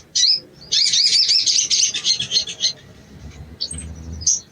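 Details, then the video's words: {'caption': 'Sogon (ruby-cheeked sunbird) gives a single sharp note, then a loud, rapid, buzzy high trill lasting about two seconds, followed by a few scattered high chips.'} "TERAPI BAHAN SOGON IJOAN CEPAT BUNYI"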